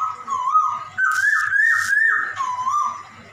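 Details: A black-throated laughingthrush giving a cat-imitating song for training captive birds: a continuous wavering whistle that dips and rises in gentle loops, cut twice by short harsh hissy bursts.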